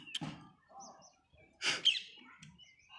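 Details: Baby parrot chick on its first day of hand feeding, giving short harsh, raspy bursts: a brief one near the start, then a louder, longer rasping burst with fainter soft chirps in between.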